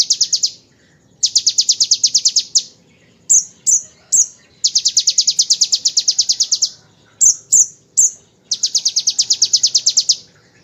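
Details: Bar-winged prinia song in the rapid-fire 'ngebren' style, used as tutor material for magpie-robins and shamas: high, dense buzzing trills of quick repeated notes lasting one to two seconds, broken by short sharp chip notes, against a quiet background.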